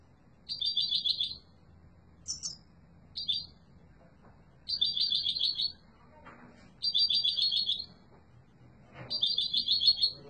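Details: Yellow mutation European goldfinch singing strongly: repeated bursts of fast, buzzy, twittering trills about a second long, separated by short pauses, with a brief sharp higher note and faint background clicks.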